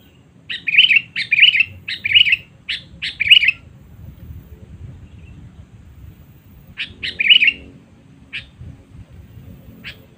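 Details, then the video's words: Sooty-headed bulbul 'cengkram' rival-summoning lure: a quick series of five gravelly chattering notes, a pause, then another cluster of chirps and scattered clicks, over a soft low background rumble. "Pikat Kutilang Cengkram Memanggil Musuh Terkuat Sepanjang Masa"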